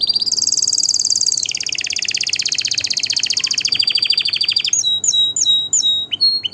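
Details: Singing canary delivering a long, rapid rolling trill that holds high for nearly five seconds, loud and dense, before breaking into a few separate short whistled notes at the end.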